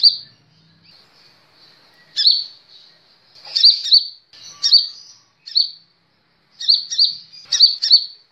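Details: Sunbird, known locally as kolibri ninja, kept as a cage bird, in a training recording for other birds: thin high chirps and short sharp notes in separated bursts, with brief trilled clusters toward the end.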